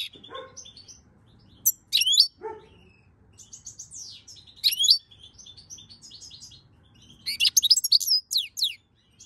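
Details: European goldfinch singing in May 2022, with loud bursts of bright, liquid twittering and tinkling notes between quieter pauses, a few lower buzzy notes, and faint twitters from other birds in the background.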